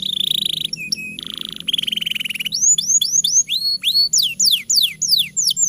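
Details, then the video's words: Canary master song for prompting young or reluctant canaries to sing: a steady buzzy note with brief clipped notes, a fast trill, then a string of loud rising-then-falling whistles repeated about three times a second. "Suara MASTERAN Kenari Gacor Panjang Sangat Efektif Untuk PANCINGAN Kenari Bahan Dan Malas Bunyi"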